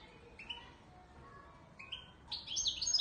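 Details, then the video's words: European goldfinch of the authentic Ouidani Marrakchi style from Morocco, giving a few soft, separate chirps before breaking into a brief, louder cluster of high, jangling twitters at the end. "تغريد_الحسون_الويداني_المراكشي الأصيل"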